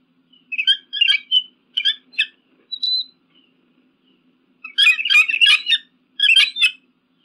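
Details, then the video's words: Chittering eagle scream: rapid clusters of sharp, high-pitched chips in bursts of about half a second, a lone thin whistle between them, then a longer run of tumbling chatter. "Adler Geräusch 🦅 Adlerschrei"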